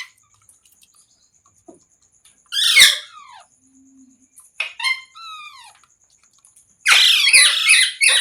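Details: Pet parrot making a loud harsh screech, then a series of clear whistled notes that slide downward, then a long burst of raspy screeching at the end. A faint steady high tone runs through the background.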